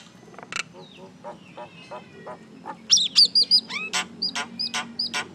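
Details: Common myna (Acridotheres tristis), described as a little mynah, making noise: a varied run of harsh broadband notes and soft rhythmic chirps, then louder piercing whistles and sharp clicks repeated about three times a second, over a low steady hum.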